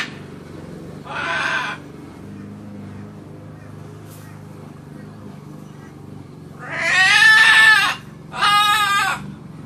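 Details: Pet macaw parrot laughing and talking while calling to its grandpa; one short raspy call, a pause, then two loud harmonic squawks near the end, over a steady low mechanical hum.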